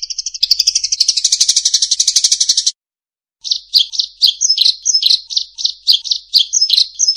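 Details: Sparrow lure song opens with a fast, dense buzzing trill of rapidly repeated high notes, breaks off into a short silence, then continues with a steady series of loud, sharp chirps roughly every third of a second.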